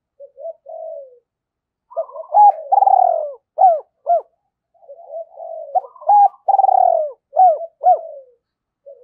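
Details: Spotted dove decoy calling to lure wild birds: two matching series, each opening with soft murmured coos, then a loud rolling falling coo and several short abrupt notes, all in a quiet background.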